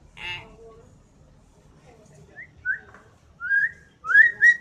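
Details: Common hill myna giving loud, sharp whistles: a harsh opening note, then a series of short slurred whistles, some rising, some falling, that grow louder and come closer together toward the end; otherwise quiet.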